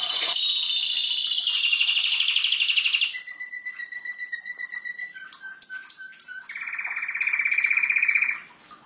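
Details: Domestic canary in full song: a rolling high trill moves into a lower, faster tour, then clear repeated pure whistles, a run of separate chipping notes, and a final steady buzzy trill before stopping.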